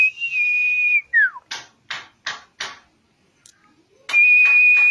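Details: Common iora song used as bait to make birds sing quickly: a long level whistle, a quick downslurred note, four sharp clicking knocks about every half second, then another sustained high whistle.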